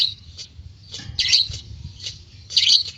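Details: White-beaked lovebird making short, harsh, high chirping bursts, a few loud scratchy notes at irregular intervals over three seconds.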